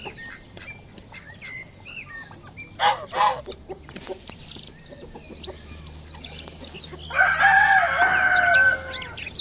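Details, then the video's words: Village roosters and chickens: scattered soft clucks and short calls with small birds twittering, then a loud, drawn-out rooster crow with a harsh rising start and a sustained ending near the close. "Звуки деревни петухов, куриц, и многое другое."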